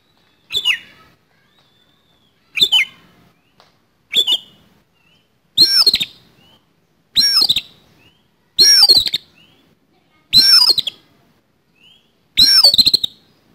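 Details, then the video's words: Fighting song of an oriental magpie-robin with harsh fill: eight clipped phrases roughly every one and a half seconds, growing louder, mixing grating clicks with swooping whistles and soft short chirps between them. "KACER TARUNG ISIAN KASAR"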